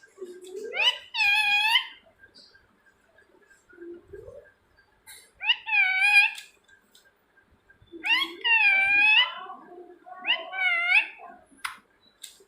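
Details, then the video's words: Rose-ringed parakeet calling in a room: repeated harsh, nasal screeches in four bursts, some preceded by low grating notes, separated by short quiet gaps. "Ring neck parrot voice"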